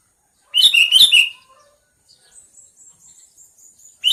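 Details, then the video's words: Sooty-headed bulbul calling: a loud, rich burst of three quick bubbly notes, followed by a faint series of thin, very high chips repeated for about two seconds, then the start of another loud note. "Suara burung kutilang panggilan"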